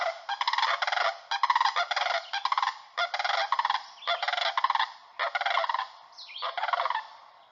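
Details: Greater sandhill cranes in the Yampa Valley of northwest Colorado, where they arrive in March to nest, give loud, rolling, rattled trumpeting calls used for family contact, in roughly one-second bursts with several birds overlapping.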